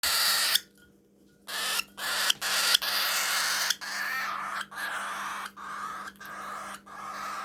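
A young cockatiel gives harsh, raspy, hissing bursts while eating, broken by short pauses.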